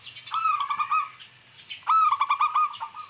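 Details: Zebra dove of local wild stock singing to provoke rivals and stimulate breeding. Two rapid, chattering bursts of staccato notes with a softer pause between them, and a faint low hum beneath.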